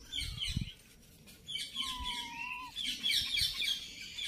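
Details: Young ringneck parakeet chattering: a jumble of high, scratchy chirps and squeaks, with one steady drawn-out whistle in the middle and faint background rustling.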